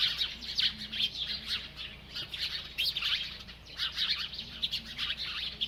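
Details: Feeding bird chirping: loud clustered tweets in the first second and after three and a half seconds, quick descending notes separated by a softer lull.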